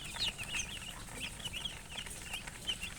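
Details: Baby chicks giving rapid, high-pitched cheeps at roughly three a second, irregular in timing, over a soft low hiss and hum.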